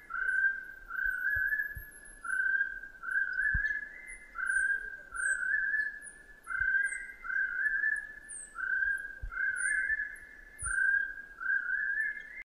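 Chestnut-breasted partridge giving a steady run of mellow, slightly rising whistled notes, about two a second, with faint high chirps from other birds and occasional low thumps.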